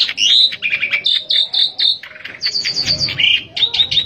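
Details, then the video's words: A lively Asian pied starling, used as a lure to get other starlings singing, gives a busy, varied, nearly continuous run of high whistles, squeaky notes and harsh chatters, with short bursts about every half second. "jalak suren gacor buat pancingan jalak suren agar cepat gacor"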